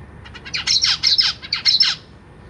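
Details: Young zebra finches begging while parents feed them indoors in a cage; a rapid string of loud buzzy rasping notes, about eight in under two seconds, then quiet.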